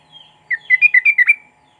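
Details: Sooty-headed bulbul song with cucak rowo material, meant to make silent bulbuls sing: one fast phrase of seven bright, bubbling whistled notes lasting about a second, over a steady background hum.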